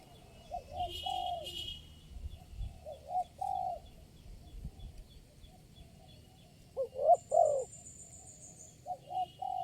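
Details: Single wild spotted dove, the only one calling at a trapping site, responding to lure birds: soft, low cooing phrases of two or three notes repeated every few seconds, with faint high bird chirps and light background noise.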